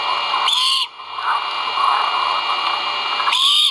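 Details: At a Skidaway Audubon nest on a live camera, great horned owl chicks call during feeding, dated 1.04.2022; two brief rasping screeches open and close the stretch, with constant electronic hiss between them.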